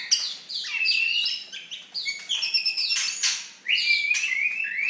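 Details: Loud, fierce-sounding song of an Oriental magpie-robin: quick sequences of sweet whistles and sliding notes, some buzzy chirps, one brief pause before a bright rising whistle resumes the phrase.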